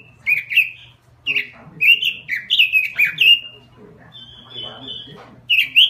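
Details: Robin in a small cage delivers repeated loud, warbled whistled phrases with short gaps, one thin steady high note midway, over faint background talk.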